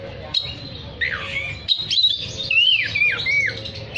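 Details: Oriental magpie-robin in active song, calling other magpie-robins: clear whistles in bursts, several loud downward-curving slurred notes repeated about once a second near the end, set among short pauses.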